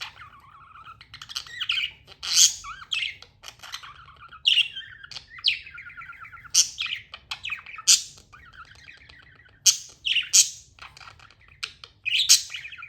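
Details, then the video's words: Pet budgies chirping in a lively, continuous chatter: warbling twitters and quavering whistles punctuated by repeated harsh, buzzy squawks roughly every one to two seconds, with a soft low hum underneath. "Amazing budgie chirping sounds"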